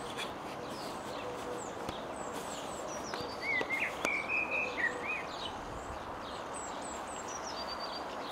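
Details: A distant singing blackbird, filmed from afar with a zoom, gives a brief fluted, warbling phrase midway, with faint high twittering notes around it over a steady rushing background of wind or distant traffic.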